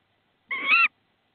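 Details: Tawny owl (Strix aluco) in Estonia, 22 March 2016, as the male (Klaus) brings prey, a frog: a single harsh, nasal note under half a second, rising slightly at the end, amid silence.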